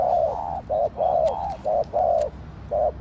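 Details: Spotted dove (cu đất) in quick gù cooing: short and longer low hollow coos alternating with barely a pause between them, loud and close.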